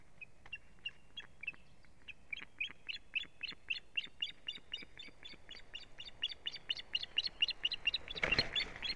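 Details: Ospreys at a nest on 1 May 2017, with strange ospreys attacking the female, caught by a live nest camera. Series of high, sharp chirping notes, about two a second, growing louder and denser, ending in a harsh broadband burst.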